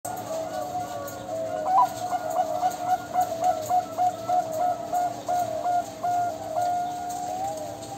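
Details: Zebra dove song: a mellow, rolling series of soft tonal coos, repeated in rhythmic pulses over a steady low background hum.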